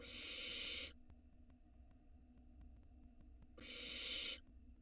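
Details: Barn owl nestling at an Israeli nest box, spring 2022, gulping down a large rat. It gives two rasping, noisy hisses almost a second long, separated by nearly three seconds of near silence with faint low hum.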